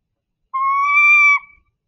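A Northern Saw-whet Owl gives one drawn-out, nasal, whining scream, held steady for nearly a second with a slight rise, then cut off; nothing else is heard.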